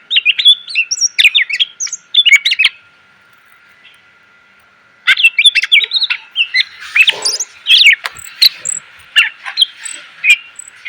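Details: Training song of a greater green leafbird for cage birds: fast, loud, varied chirps and whistles, a two-second gap mid-way, then a long busy stretch with a harsh rasping passage.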